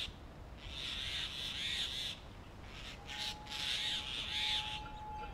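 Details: During summer in Delhi, a male Grey Hornbill feeds the female walled into their tree-trunk nest; two long, raspy squealing phrases with a brief break between, plus a faint steady whistle-like tone.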